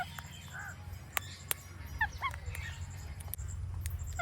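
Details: Indian ringneck parakeet making natural clicking sounds: two sharp dry clicks about a third of a second apart, mixed with short squeaky chirps and a soft nasal note, over a steady low indoor hum.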